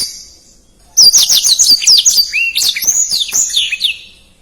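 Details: Black-throated canary with fast, dense song, used to train contest songbirds: after near silence, a three-second burst of rapid high chirps and slurred whistles, ending in quick descending notes.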